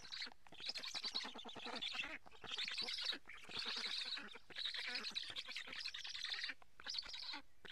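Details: Black storks at a nest in Karula, Estonia, during a fish feeding in July 2017, picked up by a live nest camera; harsh, rapid, buzzy pulsed calls in bursts of about a second, broken by short pauses.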